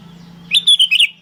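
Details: Sooty-headed bulbul, a lively lure call: one quick burst of four or five bright, slurred, whistled notes, clipped and bubbling, over a low steady hum that fades as the phrase begins.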